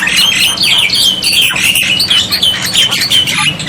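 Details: Black-winged myna tutor song meant to trigger replies from silent birds: steady stream of shrill, slightly buzzy whistled notes repeated about three per second over harsh rasping, with a low background hum.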